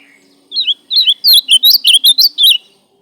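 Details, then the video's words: Ultramarine grosbeak (azulão) singing: a loud run of rich warbled whistles, rising and falling notes in quick phrases of about nine syllables over two seconds, with a faint low hum beneath. "Azualão cantando duvido o seu não foguear"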